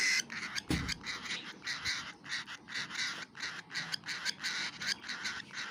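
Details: Baby cockatiel eating food, giving harsh, raspy hisses in quick repeated pulses, bursts of roughly half a second with short gaps between them. A single dull low thump is heard near the start.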